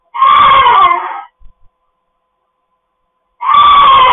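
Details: Pet cockatoo kept at home producing one long grating scream of just over a second, a short pause with faint taps, then another harsh shriek beginning.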